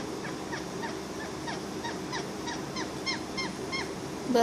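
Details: A pet parrot giving a quick run of short, chirpy notes that each sweep downward, repeated about three times a second in a steady series, with a faint indoor background.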